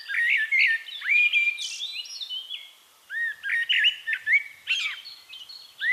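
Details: Wild Eurasian blackbird in song at Castricum, Netherlands, delivering dense, continuous fluty warbles with varied rising and falling whistles, one brief lull near the middle, then more rich phrases running to the end.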